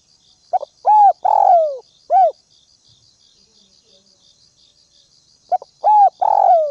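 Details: Calling spotted dove used as decoy to excite wild doves; stuttered opening notes lead into a long harsh downward coo and a short coo, second phrase beginning near the end, insects pulsing steadily behind.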